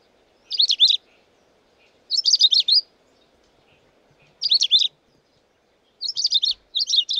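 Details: Long-tailed rosefinch singing: five short bursts of high, rapid, slurred chirping notes, each about half a second long, spaced one to two seconds apart, over a faint low hum in an otherwise quiet background.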